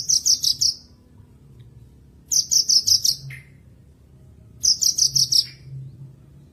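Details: Bush lark song meant to restart singing in silent birds: three compact bursts of six rapid, high, buzzy notes, each ending in a lower slurred note, spaced about two seconds apart, with quiet gaps between.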